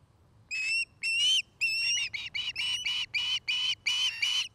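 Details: Osprey at a nest in Charlo, Montana, recorded by camera on 09-05-2018: an accelerating chain of about ten bright, harsh whistled chirps, starting with longer notes and quickening into short repeated ones.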